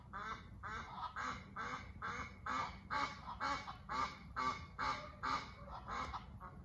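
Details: Pair of Egyptian geese calling from a rooftop, visiting from nearby: a steady series of hoarse, nasal honks about two per second, evenly spaced and strong throughout.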